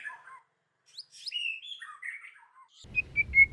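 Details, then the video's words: White-rumped shama singing in a wild, forest-style voice: varied clear whistled phrases and rising slurs, some high notes, then a run of steady whistled notes repeated about every quarter second. "chòe lửa hót giọng rừng. kéo thuốc lào kích bổi. tiếng chim chích chòe lửa hót"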